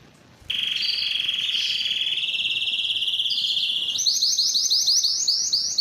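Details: Spanish timbrado canary singing: after a short quiet start, a long steady high whistled note held for about three seconds, then a quick series of rapidly repeated rolling trills, several per second.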